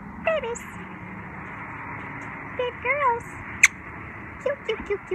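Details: A pet sun conure, female, the only one of three that talks, gives short, high, speech-like syllables with bending pitch and a sharp click partway through.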